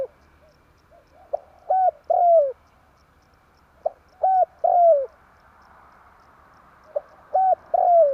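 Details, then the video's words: Spotted dove lure recording used to attract birds for trapping: a three-part cooing phrase, a short clipped note followed by two longer, falling coos, repeated three times roughly every two and a half seconds against a quiet background. "Suara pancingan derkuku kuk 1"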